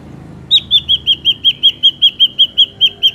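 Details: Ashy drongo song used to lure birds into traps: a steady, rapid string of about fifteen identical high whistled notes, each briefly rising then falling, repeated roughly five times a second.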